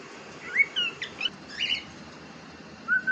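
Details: Pet cockatiel giving short whistled chirps, several rising and falling notes near the start, then a quiet gap and a final level whistle, over a steady background hiss.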